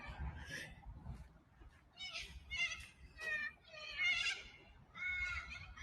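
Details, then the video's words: Corellas calling as they fly fast past the ocean front at Manly, Sydney: harsh, screechy squawks in short bursts, with people's voices and greetings nearby. "Those ones you're hearing just now, they're corellas."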